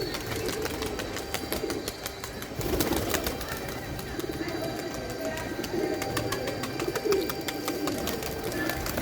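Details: Pigeons (kabutar) giving low, soft, rounded coos that swell briefly and recur irregularly across several seconds, over a steady noisy background with dense clicking and faint voices.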